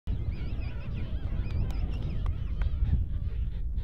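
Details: King penguins, likely males challenging each other for mates, slapping and fighting at the start of the breeding season at Volunteer Point rookery, Falkland Islands: wavering, trumpet-like overlapping calls over heavy low wind and crowd rumble.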